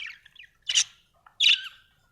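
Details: A happy budgerigar lets out two loud, harsh, buzzy chirps about three quarters of a second apart, after a few faint twittering notes.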